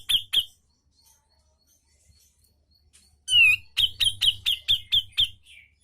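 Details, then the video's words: Cucak jenggot, the brown-cheeked bulbul, in sharp 'ngepik tajam' singing: two clipped high notes, a pause, a loud slurred downward whistle, then a rhythmic series of about eight sharp repeated notes. "Masteran Cucak Jenggot Gacorr Mbeset Ngepik Tajam"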